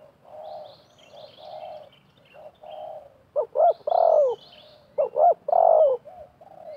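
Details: A wild spotted dove and a decoy calling back and forth at a trapping setup: softer, distant-sounding coos at first, then two loud close phrases of two short notes and a long descending coo, with high chirps from other birds.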